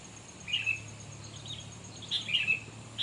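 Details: Sooty-headed bulbul calling while birds are being lured for trapping: two short bright chirps early on, then a cluster of three or four similar notes near the end, over a steady low hum.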